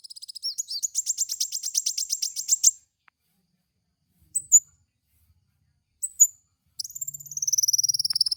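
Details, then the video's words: Kowul lure song for training caged birds: rapid high ticking trill, then brief sharp whistled notes, ending in a long run of very high, fast repeated notes over a faint low hum. "apapun pasti langsung nyaut dengan pancingan suara burung kowul ini"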